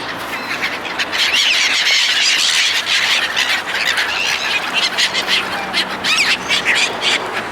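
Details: Many seagulls being fed by people, a loud mass of shrill squawks and squeals building after a quieter first second, with sharp rising cries from individual birds.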